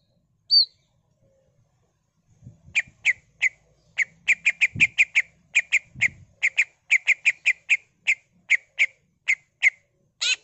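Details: Greater green leafbird pouring out a gacor 'full isian' song as pancingan: one thin whistle, then a long run of sharp, clicking chips repeated about three times a second, speeding and slowing irregularly, ending in a harsh burst.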